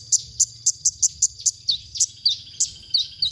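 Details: Konin song from a masteran recording used to stir up songbirds: sharp high chips about three per second, mixed with short downward-slurred whistles, over faint low background hum.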